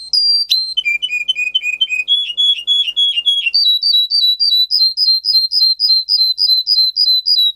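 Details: Russian singer canary, a breed kept for singing, in song used to train other canaries: a run of rapid repeated chirps, then a lower rolling tour, then a fast bright trill of clipped notes repeated several times a second.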